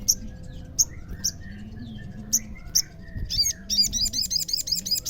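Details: Olive-backed sunbird used to get other sunbirds calling back: evenly spaced sharp high chips, then a fast run of repeated high buzzy notes, over a low wavering hum.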